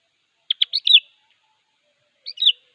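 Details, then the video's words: Lively sooty-headed bulbul singing to summon a rival: a tumbling phrase of four or five bubbly whistled notes, followed after a pause by a shorter, softer two-note phrase. "Suara Burung Kutilang Gacor Siap memanggil Lawan"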